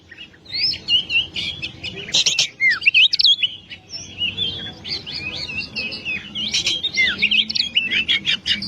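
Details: Oriental magpie-robin in full, energetic song: a dense, continuous medley of whistles, downward slurs and quick scratchy chirps with hardly any breaks. Recorded as a long tutor song to prompt other birds to sing.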